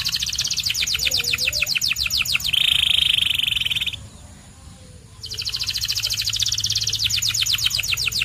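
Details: White canary sings a rapid high trill, then a loud sustained buzzy tone, falls silent for about a second, and resumes with another fast rolling trill.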